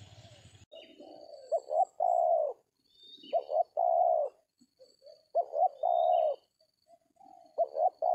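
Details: Spotted dove (tekukur) cooing during a dove-trapping session with a decoy in an oil palm plantation: loud phrases of two or three short rising notes followed by a long drawn-out coo, repeated about every two seconds, with thin high insect-like whistles faintly behind.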